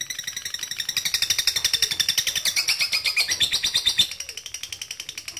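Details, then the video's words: Lovebird calling a rival with long ngekek chatter, a lure: a fast, even rattle of high notes swelling through the middle, then dropping suddenly to a quieter, looser tail. "PANCINGAN LOVE BIRD MEMANGGIL LAWAN AGAR RAJIN NGEKEK PANJANG"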